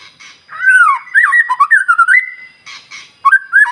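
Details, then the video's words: White-rumped shama singing in the morning to set other birds off: a long, smooth, wavering whistle running into a warbled phrase, with brief buzzy bursts mixed in. "Pancingan Murai Batu Paling Ampuh Bikin Burung Lain Meledak Bunyi"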